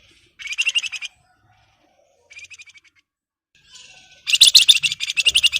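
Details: Flamboyan bird in breeding condition, agitated and challenging a rival: short high pulsed chatters, a faint brief trill, then a long loud burst of dense, harsh rapid notes.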